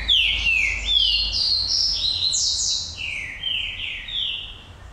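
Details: Green-winged saltator song: a loud sequence of rich, slurred whistled phrases, first sweeping down, then stepping up higher, then a lower series of rising slurs, with faint low background rumble.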